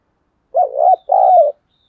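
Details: Spotted dove acting as a decoy to lure wild doves. Two low, mellow coos: a wavering, undulating note, then a longer purring coo that eases downward.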